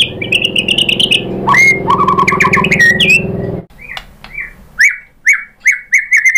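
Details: Lure song of a white-rumped shama, used to make other birds sing back: fast varied whistled phrases and chatter, a pause, then a string of short clear whistles repeated about every half second.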